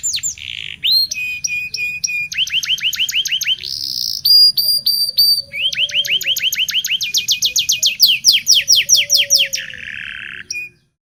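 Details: Local canary singing, used as a training lure for young canaries learning to sing: fast rolling trills of rising chirps, long buzzy tours and bright whistled notes, mostly high-pitched and continuous, ending abruptly.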